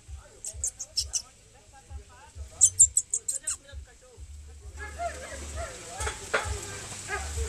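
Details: Three thrush chicks on the ground give very high, thin cheeps in quick runs of four or five, twice over, begging for food; a person's voice and rustling follow.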